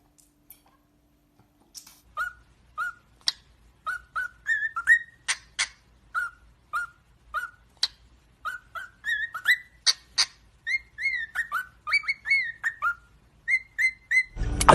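A cockatiel gives quick, bright whistled notes, repeated in a lively stream with sharp clicks between.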